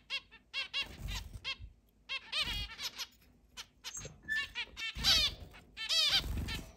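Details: Zebra finches, eight pet birds in a large cage with free flight around the house, July 2022: irregular nasal beeping at roughly one call per second, building into dense overlapping honks, with low thumps.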